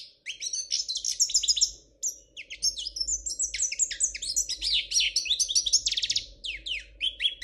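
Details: Spanish royal European goldfinch singing a fault-free song: high, fast twittering phrases of tinkling notes and buzzy trills, delivered in quick bursts with short pauses, over a faint steady low hum.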